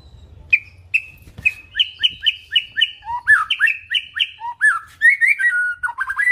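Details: White-rumped shama singing a complete isian fill-in song: a string of clear, repeated whistled notes about every quarter second, then lower rolling phrases and a closing run of quick descending whistles.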